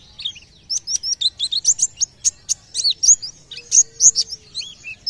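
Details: Loud, close white-eye song, thought to draw other birds into song: an unbroken, fast series of piercing high chirps and upward-flicked notes, about three per second, with sharp clicking ticks mixed in.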